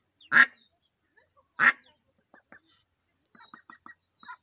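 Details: Two loud, rasping quacks a little over a second apart from a mallard hen with day-old ducklings, followed by a quick series of faint, thin, high peeps.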